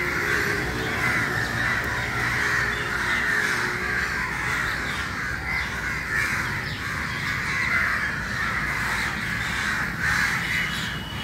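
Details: Crows massed at an early-morning gathering, continuous rough cawing from many birds at once, calls layered densely without pause over low background noise.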